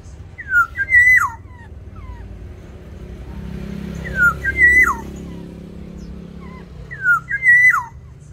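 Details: Black-naped orioles in an aviary, fighting to defend or seize territory: three loud, fluty whistled phrases, each a quick liquid rise-and-fall, spaced about three seconds apart over a low background hum.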